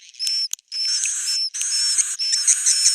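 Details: Harsh, buzzy swiftlet twittering in long bursts broken by brief gaps, with clear high whistled notes laid over the rasp; an old-style "jadul" recording.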